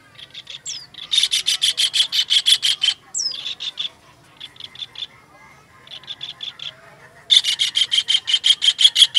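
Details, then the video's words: Kingfisher as master audio for songbird training: long rattling series of harsh, buzzy notes repeated about three times a second, broken by short pauses with quieter clusters and a sharp falling squeak. "MASTERAN TENGKEK UDANG"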